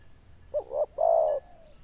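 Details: Zebra dove praised for its loud, bell-like voice and good cooing gives a short double coo, then one longer, mellow, slightly wavering note that trails off softly.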